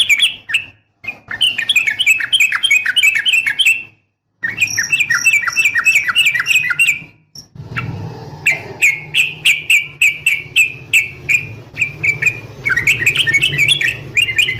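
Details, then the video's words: Long rapid 'ropel' calling of a female sooty-headed bulbul summoning a male, meant to provoke males into singing: dense runs of sharp chirped notes, several abrupt cuts, and a steady low hum underneath. "trucukan ropel panjang TARUNG TAJAM buat pancingan trucukan agar bunyi"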